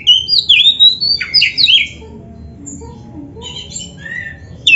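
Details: Kacer, the oriental magpie-robin, on a masteran training track for caged birds: a fast run of rich, varied whistles and swooping notes, then quieter scattered whistles over a low background rumble.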